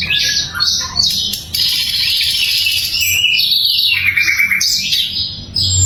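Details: A sikatan londo flycatcher gives clear, loud song as a training recording for songbirds. Its high, continuous warbling mixes trilled runs, whistled slides and sharp chirps, with brief pauses between phrases.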